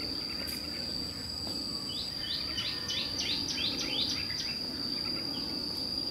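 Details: A white-cheeked red-whiskered bulbul scolding a decoy in a trapping setup: a quick string of sharp, upward-flicking chirps lasting about two seconds, delivered against a constant high-pitched insect drone and a low hum.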